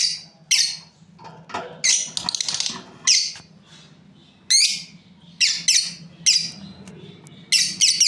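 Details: A breeding pair of lovebirds calling with scattered piercing chirps and short squawks, some notes doubled, over a faint low hum in the background.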